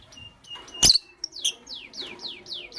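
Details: Pet lovebirds, green Fischer's and pastel blue, calling in the morning: a sharp burst, then a run of repeated downward-sliding high whistles about every quarter second.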